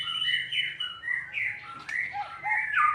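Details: White-rumped shama song used as a lure to provoke a lazy caged shama into singing: rich, varied whistled phrases, some rising and falling, others slurred and buzzy, delivered in quick bursts over a low steady background hum.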